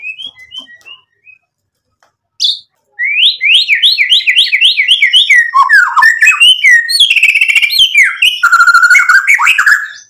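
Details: White-rumped shama in vigorous 'gacor' song full of 'isian' borrowed phrases, used as a lure to make another shama answer: a few faint whistles, a pause, then a fast torrent of varied rising and falling whistled notes, trills and buzzy fragments.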